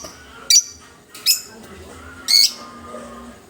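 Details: Newly arrived pet parakeet giving three loud, sharp, scratchy chirps, each brief and spaced about a second apart, over quiet indoor background.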